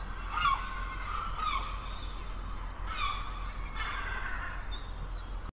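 Gulls give nasal, harmonic mewing calls about five times in five seconds, some overlapping, over a steady low rumble of surf or wind.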